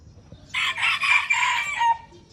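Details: Red junglefowl from Aceh, Indonesia, in a crowing contest between a pure bird and an F1 hybrid: one harsh, broadband crow lasting about a second and a half, rising then clipped off, over quiet low background hum.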